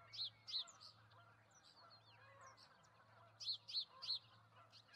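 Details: Nesting osprey pair with two eggs in Charlo, Montana, 08/05/2019, calling in clusters of two or three quick, high, sharply peaked whistles, with softer twittering in the pause and a steady low hum.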